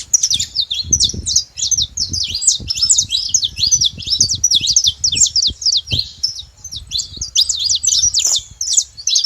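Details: Saffron finches together keep up a long, dense stream of sharp high chirps and zigzag notes, overlapping and barely pausing, with some low background noise and soft thumps.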